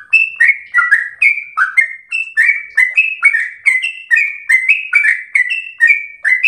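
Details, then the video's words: Sooty-headed bulbul song kept as a tutor for training a captive bird, in the brisk ropel slow style: short bubbly whistled phrases, each dropping then rising, repeated over and over in a steady chattering stream, with no other sounds. "trucukan SUPER GACOR ROPEL SLOW terbaik untuk masteran trucuk rumahan"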